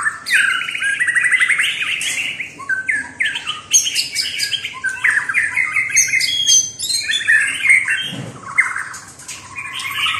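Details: White-rumped shama giving a rich, varied run of warbled and rattled phrases with whistled notes mixed in, nearly continuous, with sharp high ticks.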